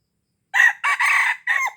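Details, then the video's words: Red junglefowl from Aceh, a crow used to lure wild junglefowl: one loud, harsh crow split into four syllables over about a second, the middle one longest and the last dropping away at the end, with silence before it. "Ayam Hutan Aceh # Pikat Ayam Hutan Ori"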